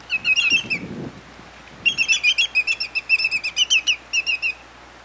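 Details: Greater yellowlegs (Tringa melanoleuca), call.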